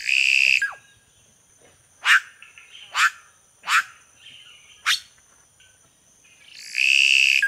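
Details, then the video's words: Red-rumped cacique singing: a loud, sustained harmonic note opens and closes the phrase, with four sharp, explosive broadband notes spaced about a second apart between them. "Canto do Guaxe - (Cacicus Haemorrhous)"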